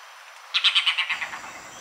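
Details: Red-bearded bee-eater (Nyctyornis amictus) calling: a quick run of about nine harsh, chattering notes that fall in pitch and speed up slightly, lasting under a second.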